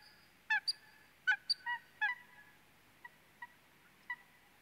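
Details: Eurasian coot (Fulica atra), call.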